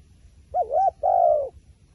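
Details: Wild pigeon, described as very smart and wary of a phone camera. It gives one two-part call: a short wavering coo, then a longer steady, slightly falling coo. The background is quiet.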